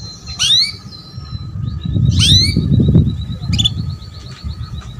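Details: Female canary calls to draw a male into song: two loud rising sweeps and a buzzy burst with brief trills, amid heavy low fluttering and rumbling noise.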